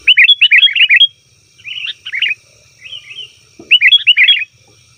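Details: Noisy 'ribut' calls of a sooty-headed bulbul, used to lure wild birds: quick bursts of five or six sharp, bouncing chirps separated by softer, scattered notes and short quiet gaps.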